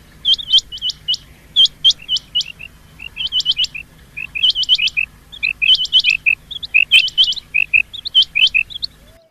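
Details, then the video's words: Rain quail calling as a hunting lure: loud clusters of clipped, high, whip-like notes, each group trailed by softer lower chirps, bursts coming about once a second over a faint steady low hum. "Rain quail call for hunting | chingay ki awaz shikar k leay | چنگے کی آواز شکار کے لیے"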